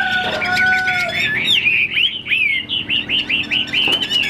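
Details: Caged Chinese hwamei with wing-fanning display, opening with a steady held tone then breaking into a rapid chain of looping, warbled whistles, each note slurring up and down.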